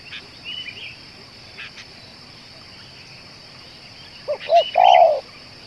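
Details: Near the end a spotted dove said to call for two hours and to suit luring gives a single phrase, two short coos and a long rough coo, after a quiet stretch of faint chirps and a steady high whine.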